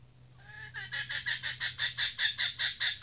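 A red junglefowl hen gives a rapid run of sharp, nasal clucks that grows louder and steadier, over a faint low hum.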